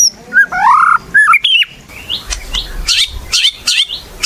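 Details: Lure recording of a white-rumped shama in full song: rising and falling whistled phrases, then a series of short sharp chipping notes over a low background rumble.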